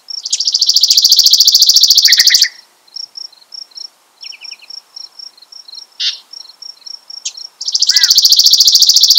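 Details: Chipping Sparrow sings two long, dry, rapid trills on one high pitch, about two seconds each, with scattered single chips and soft notes from a Yellow-breasted Chat joining in.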